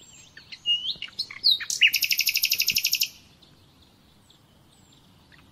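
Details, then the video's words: Common nightingale song recorded for training captive birds: a few whistled and rising notes, then a fast burst of about fourteen loud, even pulses over one second, followed by quiet. "Bülbül Sesi - Kesintisiz Ötüm Dersi ve Huylandırma -(Bulbul Song - Real Traning my record)"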